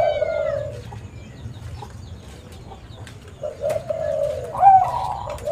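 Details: Spotted dove recording used to lure and trap other doves: soft low cooing runs through, then one louder rising-and-falling coo near the end, with other doves cooing faintly and a low steady hum behind.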